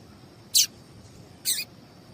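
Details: Female papa-capim seedeater calling to provoke male song: two short, bright, high chirps about one second apart, the second slightly longer and softer.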